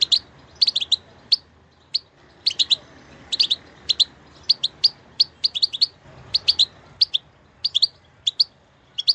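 A goldfinch sings in rapid bursts of bright, tinkling twitters and chirps, high-pitched and irregular, with brief pauses between clusters over a faint low hum.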